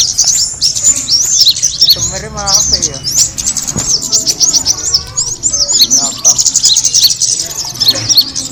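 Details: Kemade bird sound used as a lure: constant high, squeaky chirps and looping tweets from several birds, with faint low voices of people underneath.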